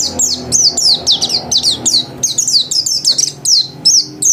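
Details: Energetic song of a house-kept white-eye: dense, high, twittering notes that slide steeply down, packed closely together with barely a break across the whole stretch.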